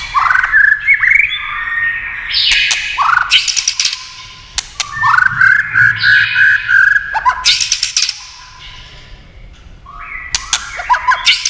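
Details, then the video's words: Long sequence from a white-rumped shama responding to tail-tapping sounds: clicks between rich whistled phrases, trills and upward-swooping notes, with brief pauses. "chòe lửa tạch đập đuôi cạch cạch kích thích chòe lửa hót"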